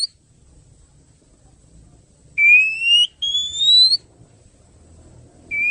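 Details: Two clear, slowly rising whistles from an oriental magpie-robin, recorded for training other songbirds, over faint low background hum, with another whistle starting at the end.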